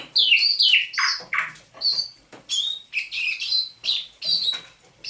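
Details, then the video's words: Dawn song on 27 November 2021 from a caged thrush nightingale caught near St Petersburg in May 2019: loud, high, downslurred whistled notes repeated about twice a second, with sharp clicks between them. "Пение восточного соловья на рассвете"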